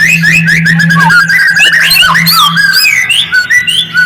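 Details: White-rumped shama singing as a lure to provoke response: continuous flowing whistles rising and falling, mixed with quick squeaky flourishes and chattering bursts, a steady low drone beneath.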